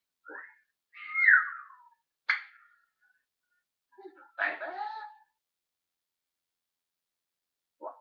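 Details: Talking parrot filmed on 1 June 2013 mixing a sliding whistled note with short raspy speech-like sounds and sharp clicks, followed by a long pause and one brief final sound.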